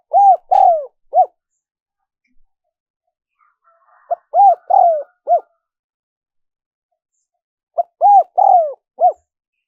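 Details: Spotted dove cooing for luring wild doves: three identical four-note phrases spaced about four seconds apart, each with a long downward-sliding middle coo, plus faint soft chatter between phrases.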